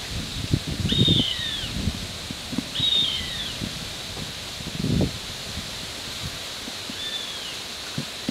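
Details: Juvenile northern goshawks in Oyama city, Tochigi, Japan, trying to catch up with their parent, give three thin, high, drawn-out whistled calls that arch and fall away, a few seconds apart, over rustling leaves and soft thumps.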